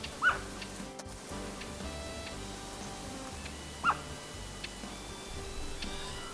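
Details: Immature Grey-crowned Babbler, dark-eyed, drinking in the Australian wild, gives two short, soft woof-like notes about three and a half seconds apart over a steady hum and faint background music.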